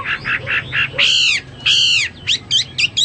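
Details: ['Hwamei in lively song: a run of five short buzzy repeated notes, then two long, loud, harmonically rich slurred phrases and a few quick sharp whistled notes to close, over a faint low hum.']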